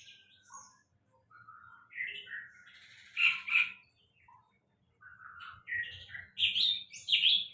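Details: Sulingan laut song: scattered high chirps and warbling notes, some sliding down, a rich trilled burst in the middle, then louder rising whistles at the end; background quiet apart from faint low rumble.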